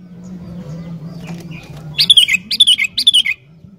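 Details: Sooty-headed bulbul in lively song, used to get wild bulbuls singing: three quick bubbly, gurgling phrases of descending whistled notes following a quiet start with a low steady hum.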